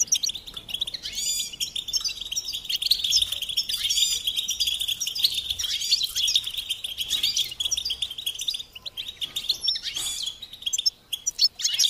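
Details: European goldfinch delivering sustained high twittering song, a fast mix of tinkling notes, buzzy trills and chattered phrases that runs almost unbroken before a short pause and a final burst.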